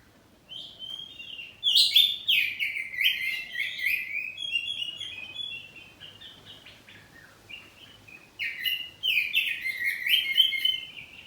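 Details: Home-kept oriental magpie-robin, kacer poci, in loud ngeplong song with call-and-response. Two strong bursts of slurred whistles and harsh chatter, separated by a quieter stretch of softer chirping notes.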